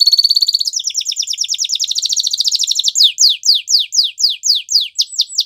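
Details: Belgian canary heard for training young canaries: a dense, very fast high trill gives way to a slower series of sharply descending swept notes, about two each second.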